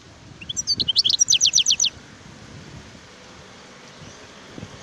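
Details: Wild European goldfinch song: a few scattered high chirps leading into a rapid, even run of descending notes lasting about a second, followed by low background noise.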